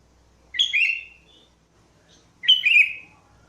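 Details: Sooty-headed bulbul lure song: two rich gurgling whistled phrases about two seconds apart, each sliding downward into a drawn-out warble, against silence.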